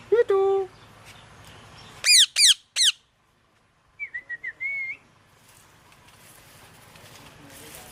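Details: Loud parrot chirping. A short squeal opens the clip, then three harsh, rasping squawks follow in a row. After a brief silence comes a run of four quick whistled notes that ends in a rising warble, over faint background hum.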